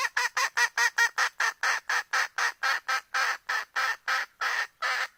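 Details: A steady, insistent string of around nineteen harsh squawks from a hen calling for a rooster. The notes are evenly paced and grow slightly longer toward the end.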